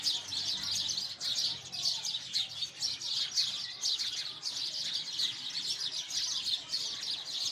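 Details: A steady, dense twitter of sparrow chirps, with many birds calling at once in a rapid, unbroken high chatter.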